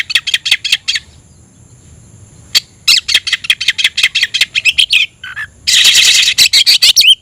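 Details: Persistent oriental magpie-robin song aimed at a fighting rival: rapid rattling runs of harsh clicks, a short pause, more dense ticking, a broad buzzy rasp and a final upslurred whistle.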